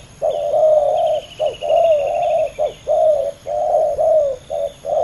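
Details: Male spotted doves competing as a fierce pair on the ground. Dense, near-continuous low cooing mixes quick notes with longer falling ones, possibly from both birds. A high trill sounds in the background early on.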